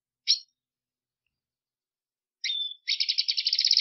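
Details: Black siskin: one sharp chip, then a thin whistle note and a fast buzzy rattling trill that continues to the end.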